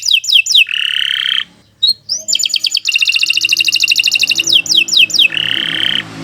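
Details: Canary song used as training for other birds: quick downslurred whistles, a steady held buzzy tone, then a long rapid trill and more descending whistles.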